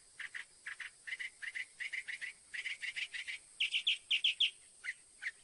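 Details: Song of a Northern mockingbird: paired short notes repeated over and over, then switching to louder, higher ringing notes in triplets, before returning to single lower notes.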